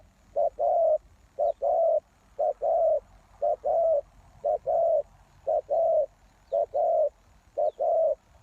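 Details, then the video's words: Lure spotted dove calling to draw in wild doves, a regular run of paired low coos, one brief note then a longer rolling one, repeating roughly every second with little else audible. "Suara Tekukur Pikat"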